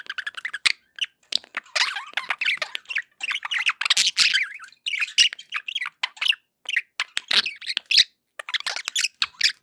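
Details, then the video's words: Contented pet budgerigars chatter in quick scratchy phrases, sharp clicks and high chirps, in steady pulses with short pauses. "happy budgie sounds"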